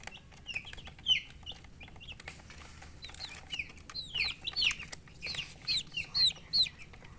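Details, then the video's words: Colored chicken chicks chirp with piercing, falling peeps, sparse at first and then faster and louder toward the end, with faint rustling behind them. "Baby "Chicks Chirping" Sound"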